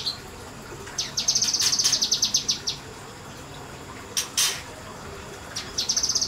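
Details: A kinoi bird singing vigorously in a semi-natural setting gives rapid, high, sharp notes in fast trills of about two seconds, with a couple of brief bursts between them, over a faint steady hiss.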